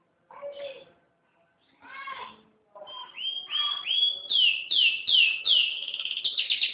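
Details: Canary in full song: after a couple of lower warbled phrases, a series of bright rising whistled notes sweeps upward, then speeds into a rapid high trill at the end.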